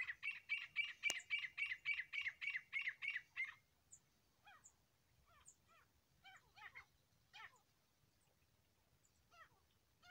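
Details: Grey Francolin pair call: a loud, harsh run of about a dozen rapid notes, each a quarter-second apart, then softer scattered chirps and squeaky notes follow.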